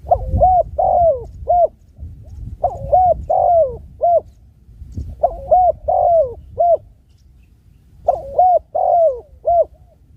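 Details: Spotted dove cooing in steady phrases of four low, mellow notes, the phrase repeated about every two and a half seconds, four times in a row over quiet low rumble.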